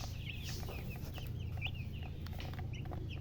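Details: Chicks chirping: irregular short high peeps, a few sliding cheeps, over loud low humming noise and faint scuffing.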